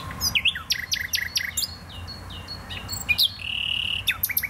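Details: Nightingale song from the botanical garden in Poznań, Poland: a jumble of rapid whistled slurs and chirps, including a sustained level whistle near the end.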